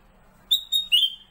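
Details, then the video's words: Kept Black-capped bulbul (kutilang emas) singing as a master bird for training white-rumped shamas: two clear whistled notes at one pitch, then a brighter falling slurred note, in a quiet room. "BURUNG "KUTILANG EMAS" KU BERBUNYI...SUARA MASTER"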